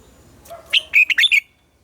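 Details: Captive-training morning song of a red-whiskered bulbul, 'già rừng' double-note style: a single brisk phrase of four or five loud whistled notes, slightly rising and falling, preceded by a soft low note.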